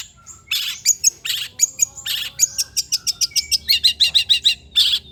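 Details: Long-tailed shrike song meant to make other shrikes answer: harsh scratchy bursts alternating with sharp high ticks, then a rapid even series of chattering notes, over faint low background hum.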